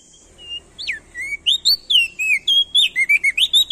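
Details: Loud male ashy tailorbird lure song from Nusa Tenggara, used to get other birds singing: a quick string of clear whistled notes that swoop up and down, about three or four per second, over faint low background hum.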